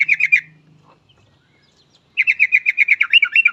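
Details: Yellow-vented bulbul singing actively, a recording meant to lure other bulbuls into song: a brief chatter, a pause with a low faint hum, then a rapid rattling run of repeated notes.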